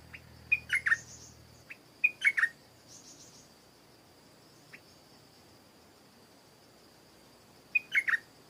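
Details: Stripe-throated bulbul in an orchard, giving three short bright phrases of quick liquid whistled notes separated by pauses, with a steady high insect whine behind.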